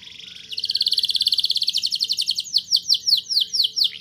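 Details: Canary song meant to coax young birds into singing: a high steady roll of even rapid pulses speeds along, then slows into separate sharp downward-slurred notes repeated about four times a second.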